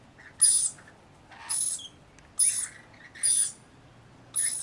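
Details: Rainbow lorikeets bathing and feeding give harsh, high-pitched screeches, five bursts roughly a second apart, with softer chatter between them.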